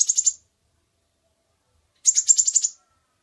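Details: Sunbird lure recording from a lively singer: two short, very high buzzy trills, each made of rapid pulses, separated by about one and a half seconds of silence.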